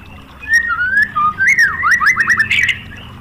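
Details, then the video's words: White-rumped shama lure song for provoking other shamas: a mellow whistled opening followed by a quick series of looping, up-and-down slurred notes in a rolling pattern, with low background hum. "SUARA MURAI BATU FULL TEMBAKAN ¦ PANCINGAN MURAI ¦ SHAMA BIRD"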